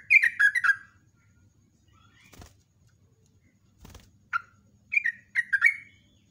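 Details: Yellow-vented bulbul morning lure song: an opening burst of bubbly slurred whistles, silence broken by two clicks, then a lone note and a renewed chattering phrase.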